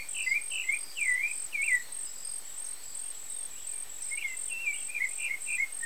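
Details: Rufous-bellied thrush (sabiá-laranjeira) at a nest where both parents feed young chicks: short, slurred chirps around mid-high pitch come in quick bursts, then a pause, then another run. A steady high insect buzz runs throughout.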